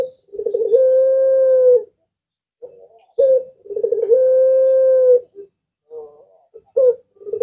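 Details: Puter pelung dove, claimed to set other birds calling back. Two full calls, each a bubbling run of quick notes swelling into a long level hum-like coo, with short bursts between them.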